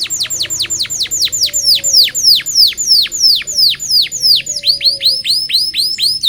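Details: Energetic local canary song for young canaries learning to sing: loud downslurred whistled notes repeated about three per second, then quicker clusters of similar falling whistles.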